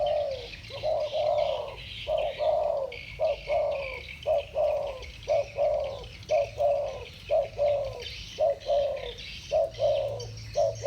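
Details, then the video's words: Spotted doves, a pair of 'thổ bầu'-style singers dueling, give deep mellow coos in short-long couplets, steadily repeated throughout, while thin high twittering from other birds fills the background. "Tiếng chim cu gáy giọng thổ bầu. 2 con giọng thổ bầu solo với nhau"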